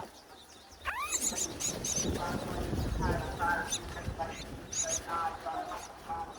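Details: In breeding season, myna chicks in a nest high on a palm tree beg with harsh, rapid, squeaky chirps and a rising whistle-like note as their mother brings food, over heavy rumbling wind or handling noise.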